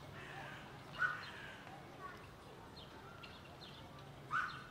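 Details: Helmeted guineafowl at Ljubljana Zoo on 18 August 2023, giving two harsh, raspy calls about three seconds apart over a soft murmur of background voices.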